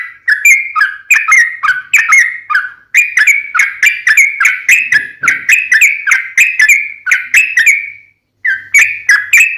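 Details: Sooty-headed bulbul pouring out a fighting-style long rapid song used as a lure for other bulbuls; about twenty-five quick bubbly whistled notes in a rolling run, one brief break near the end, then the run resumes.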